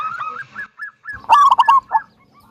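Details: Local zebra dove with a large 'kung' voice, played to prompt other doves to sing: a few spaced wavering notes, then a loud stuttering cluster of three or four strong notes and one softer note after.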